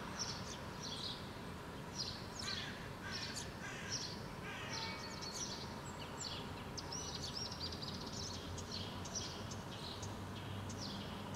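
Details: House sparrow parent feeding fledglings in a park, Helsinki, Finland, June 2013; dense clusters of sharp, high chirps and buzzy notes come in irregular bursts throughout, over a steady low rumble of background noise.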